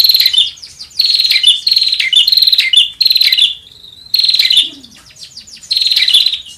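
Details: Bar-winged prinia call for luring birds, repeated bursts of harsh, pulsed, high buzzy trills roughly every half second, interrupted by a short thin whistle and a quiet pause before the trills resume.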